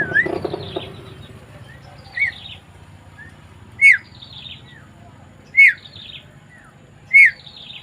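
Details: Javan myna recorded on 20 May 2024. After a noisy, fluttery start come short, rising-falling whistled notes at about 1.7-second intervals, each followed by thin, scratchy trailing notes.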